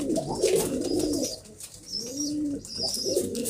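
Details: Pigeons, locally kobutor, cooing in a small room: a couple of low, rolling, arched coos with rustling and hiss; thin high chirps from other birds sound above.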